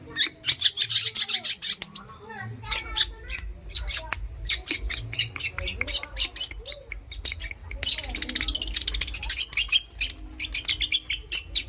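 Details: Pet long-tailed shrike in vigorous, varied song: bursts of harsh scratchy chatter alternate with high squeaks and short whistled phrases, dense and rapid throughout, over a low background hum.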